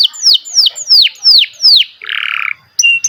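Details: Singing canary delivering a run of sweeping downslurred whistles, then a harsh, buzzy rattling trill, a brief pause and sharp high notes, clear and close.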